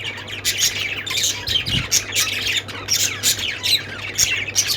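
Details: Several budgerigars chirp in quick, rasping, high notes that come in waves about every half second, over a low constant hum and one soft thud.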